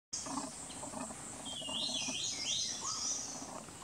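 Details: White-gorgeted flycatcher (Anthipes monileger leucops) at Doi Lang, Thailand, in February or March, sings thin, high squeaky phrases of quick sliding notes with brief lower notes between, over a steady high insect drone.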